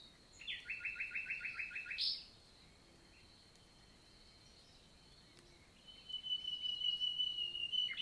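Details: Common nightingale singing in the morning, 11 June 2023, countryside forest in the Célé valley, Lot, southern France: a rapid run of about ten harsh repeated notes, a pause, then a long pure whistle into a fast chattering trill.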